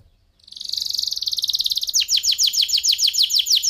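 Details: Tutor song of an F1SF canary for training oriental magpie-robins: a rolling, rapid trill builds from soft to loud, then shifts into slower, louder repeated down-slurred notes, roughly four per second.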